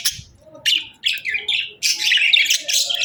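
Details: Cheerful budgie chirping comes in bursts of bright, buzzy twitters separated by brief gaps, ending in a long, dense run of rapid chatter.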